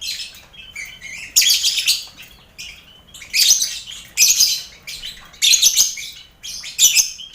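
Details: Captive lovebirds in a busy colony aviary shared with finches and quail, kept for mental training before song contests; harsh, buzzy shrieking bursts in four or five loud bouts, separated by short quieter gaps.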